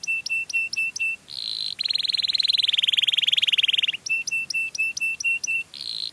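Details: Canary singing sweet song meant to lure other canaries: bright repeated whistled notes at a steady quick pace, then a long rapid buzzing trill, then more of the same clipped whistles.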